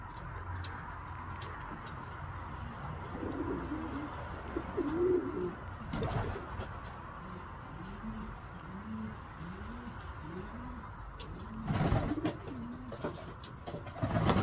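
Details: Young racing pigeons during training give soft, low cooing notes that rise and fall in quick series, several per second, over a hum of room noise with occasional rustles and clattering thumps.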